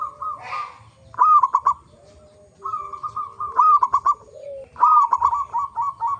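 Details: Local zebra dove song used as a lure to get other zebra doves singing: three bursts of rapid, throaty cooing notes at a steady mid pitch, each opening with a rising hook, separated by short pauses, with a faint lower drawn-out tone between.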